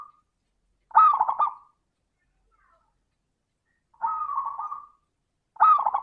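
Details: Zebra dove with a crystal-clear voice, used as a lure to make other doves sing, gives three short trilled cooing phrases roughly every two to three seconds, each a quick stammering burst, with silence between.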